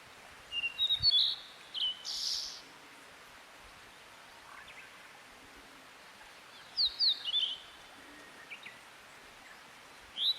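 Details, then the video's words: A wild niltava sings vigorously: short, high, thin whistled phrases in three or four bursts spaced several seconds apart, over a steady background hiss. "burung niltava gacor liar"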